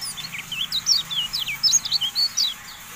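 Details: Javan white-eye recording played to stimulate caged birds to sing. Clear, high, rapid chirps and looping whistled notes follow one another almost without pause, some notes dipping lower and others sweeping upward.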